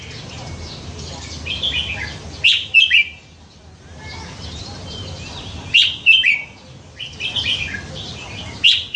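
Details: A red-whiskered bulbul, caught young beside a canal and raised in a cage, repeats a sweet, bouncy whistled phrase three times, roughly every three seconds, each ending in sharp, loud notes.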